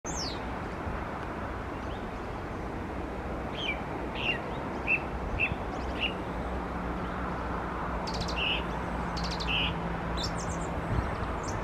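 A small bird gives short, bright chirps in scattered bursts, then a few thin, very high notes, over steady wind-like rumble and a low hum.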